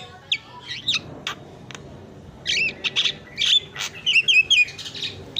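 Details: Javan myna isian song for tutoring and triggering song in other birds: scattered sharp clicks at first, then a denser stretch of squeaky, twisting whistles and harsh chips.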